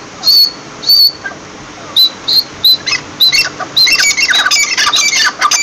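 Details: Partridge starting with a few thin, high, squeaky notes spaced about a second apart, then breaking into dense, raucous, chattering squawks that run together toward the end.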